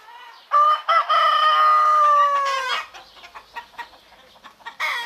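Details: Morning rooster among chickens and turkeys in Greece: one full, loud crow of about two and a half seconds with a slight downward fall at its end, then softer hen clucks, and a second call starting at the close.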